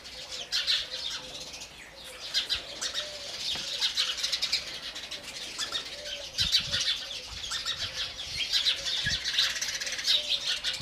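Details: A steady chorus of house sparrow chirps, many short high tweets overlapping in a continuous noisy chatter that rises and falls in loudness, with occasional faint low thuds.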